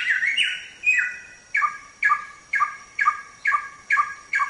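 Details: Samyong tembak song for songbird training: a few wavering whistles, then short clipped notes with a high and a low part, repeated regularly about twice each second.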